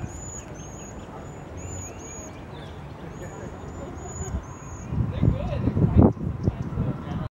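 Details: Cedar waxwings on 24 February 2023 give thin, very high, hissing seee notes, several a second in overlapping runs, over low rumble; louder handling or voice noise comes near the end.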